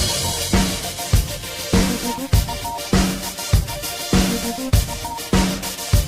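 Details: Drum-kit music with a regular bass and snare beat and instrumental notes, with no animal calls.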